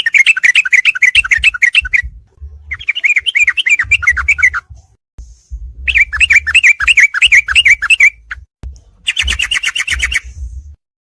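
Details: Yellow-vented bulbul heard in a combined training track meant for night-time therapy to make songbirds fighters: fast runs of warbling chirps repeated in long phrases, broken by short rough bursts and soft low thuds.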